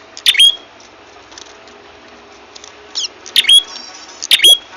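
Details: Trapping lure of an ashy tailorbird: three loud squeaky notes with high whistled tails, separated by a long pause and a few softer chips, against a quiet, even background.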